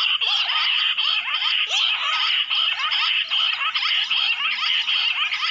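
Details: A covey of wild jungle bush quail, summoned using a mobile phone, keeps up a continuous, harsh, chattering chorus of rapid overlapping notes with short dips in loudness.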